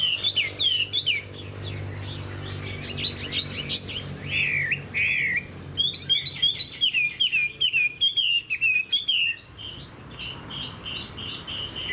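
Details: Caged hwamei standing tall with its tail fanned. It sings a long, varied performance of bright whistles, rapid trills and repeated slurred notes, ending in a fast run of short downward whistles. A low hum sounds early on.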